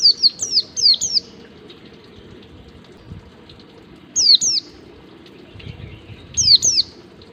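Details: White-eye in wild-style 'ngalas' song, used as a lure to teach captive birds: high, thin, whistled notes sliding downward, given in quick pairs and bursts with pauses of several seconds between groups, over a faint low background hum.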